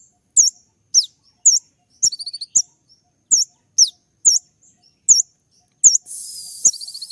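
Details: A kolibri ninja sunbird's 'tembakan' song, played to provoke other birds into responding: a steady series of very high, clipped upslurred chirps, one brief rapid trill, and a buzzy rattle at the close.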